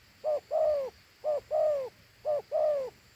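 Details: A Thổ Hú dove, a large handsome bird, gives a two-note coo: a short clipped note followed by a longer, slightly falling one, repeated about once a second, three times, against a quiet background.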